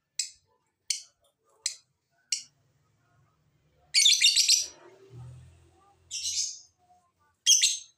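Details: Lovebird sounds used as a lure to get lovebirds singing: four short sharp high chirps about once per second, then longer harsh rasping screeches with brief pauses; a faint low rumble in the middle.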